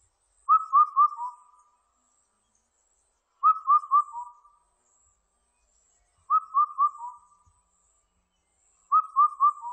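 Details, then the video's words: An Indian cuckoo in 2020 repeats its four-note whistled song about every three seconds, four phrases in all. Each phrase has three even notes and a lower closing note. A thin insect hiss runs high above. "검은등뻐꾸기, 여러번 듣기"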